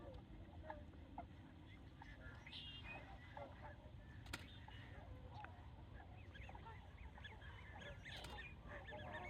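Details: A large flock of swans at Ridgefield wildlife refuge, Washington, gives overlapping honking and bugling calls, scattered and continuous, with a low wind rumble underneath.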